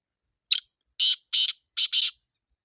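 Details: Sindhi black francolin call, a brief sharp note then four loud, coarse, grating bursts, the last two almost fused, delivered crisply over about one and a half seconds with no other sounds.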